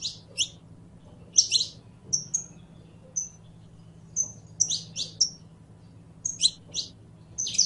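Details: Singing saffron finch, the canario criollo, delivering clusters of bright chirps alternating with brief pure whistles, phrases coming in uneven bursts against a soft background hum.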